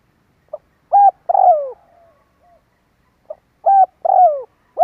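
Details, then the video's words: Spotted dove lure call meant to attract other birds: clean, mellow coos, a brief lead-in note followed by a firm coo and a longer falling one, phrase repeated twice with silence between. "Tiếng chim cu gáy kích bổi"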